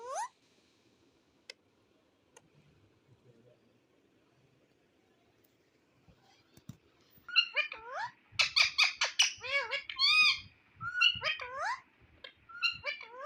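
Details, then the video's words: Indian rose-ringed (ringneck) parakeet, talking: after several seconds of near-quiet it bursts into a fast jumble of high, squeaky, speech-like phrases and rising whistles. "Ringneck Parrot Berbicara dan Mengatakan Bahasa Bahasa Luar"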